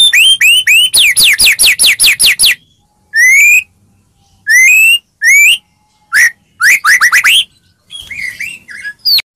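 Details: Murai song played as a lure to provoke a silent bird into excited singing: a fast run of rising whistled notes, then separate upslurred whistles and trills with clean silent gaps.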